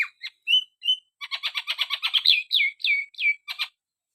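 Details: Javan myna singing energetically: a few thin whistles, then a fast even rattle of clipped notes, followed by several loud slurred whistles that fall in pitch and a final harsh note.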